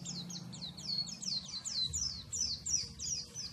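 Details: Oriental white-eye song: a rapid series of high, thin descending whistled notes, about a dozen slurred downward strokes in quick succession, with faint low background hum.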